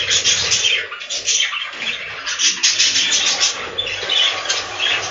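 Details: Inside a budgie farm's breeding room, budgerigars keep up an unbroken, busy chatter of scratchy warbles and bright chirps at steady volume, with a low background hum.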